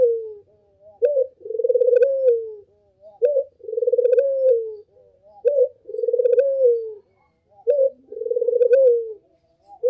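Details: Lure call of a Barbary dove (burung puter) for attracting all puter types: a clear rhythm of a short rising coo and a drawn-out, vibrating, down-curving coo, repeated roughly every two seconds against quiet background.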